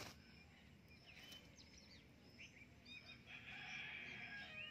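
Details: A talking rose-ringed parakeet reacting in front of a mirror gives quiet, scratchy chatter and short squawks, ending in a longer harsh, buzzy screech; a faint low hum sits underneath.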